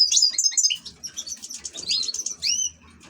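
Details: Brief burst of song from an ornamental European goldfinch: sharp high twittering notes first, then a few slurred liquid chirps and one long rising whistle.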